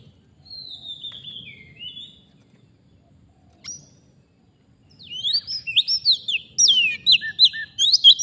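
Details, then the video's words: Oriental magpie-robin, a forest bird, heard while being lured for trapping. A long, thin whistle and a lone chip are followed by a rapid, dense outburst of varied, jumping whistled notes that lasts several seconds. "Kacer, begini jadinya kalau tidak di ajak duel fighter || full gacor"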